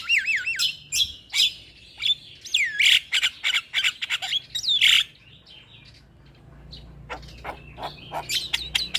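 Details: Javan myna, played to get a lazy bird singing: looping wavering whistles open into a fast, busy stream of harsh squawks and clicks, easing into quieter scattered notes near the end.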